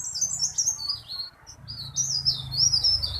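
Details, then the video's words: Tailorbird pouring out a loud, long, rolling song: piercing high notes slurring downward and upward in quick succession, a momentary break, then more bright, fast phrases over a low background hum. "BURUNG TERALIS GACOR"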